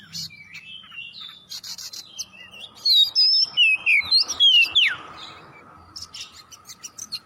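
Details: Oriental magpie-robin song played to coax other birds into singing: soft scattered chirps build into a burst of bright, sweeping whistled notes, rapid and varied, then a long faint steady tone and scattered clicks.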